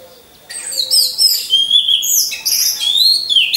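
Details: Orange-headed thrush kept in a cage hung in a row with others, singing as a lure for other birds. After a brief quiet start comes dense, high, twittering song with sweeping slurred whistles and fast trills.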